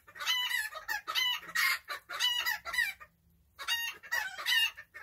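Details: Chickens spending a relaxed day together, uttering throaty, harmonic clucks and squawks in rapid runs. There is a brief quiet gap just past the three-second mark, then the clucking resumes.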